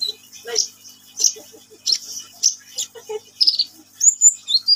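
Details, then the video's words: Sunbird singing vigorously: sharp high chirps and short twittering bursts at uneven intervals, with a few softer lower notes between them. "KICAUAN BURUNG KOLIBRI NINJA GACOR"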